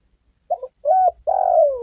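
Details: Actively calling spotted dove, recorded as a lure for trapping and hunting: two short soft coos lead into a long, vibrating coo that slowly falls in pitch. No other sounds.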